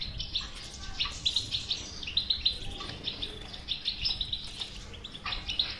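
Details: European goldfinch in bitbita song, intended to make a mute goldfinch start singing: bright, fast, twittering phrases of clipped metallic notes, repeated in bursts with brief pauses.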